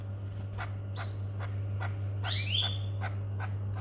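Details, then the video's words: Among rapid soft clicking and tapping, a domestic canary gives one bright rising whistled call midway, over a steady low hum. "domestic canary birds"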